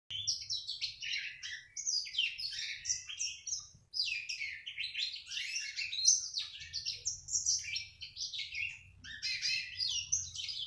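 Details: Black-throated canary in training, singing busily in the ngriwik style: a continuous, fast, high twittering of scratchy chirps and trills with hardly a break, over a faint low hum.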